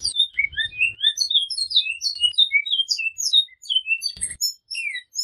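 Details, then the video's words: Great-billed seed-finch in flauta-style song with repeated phrases, giving rapid high whistled notes, some rising and some falling, in a steady unbroken stream, with a few faint low thumps underneath. "Bicudo Canto Flauta com repetição"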